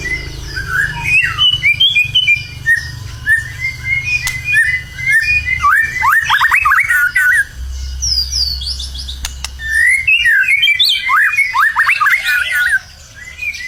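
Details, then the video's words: Indonesian caged white-rumped shama in contest form sings bursts of varied whistles and fast downward-slurred notes over a constant low hum, with clicks and short pauses between phrases. "murai gacor siap masuk gantangan"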